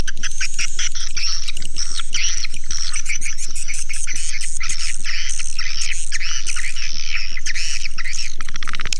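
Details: Swiftlet calls form a continuous high chattering chorus of short chirps and buzzes, with an even low pulse beating about four times per second throughout.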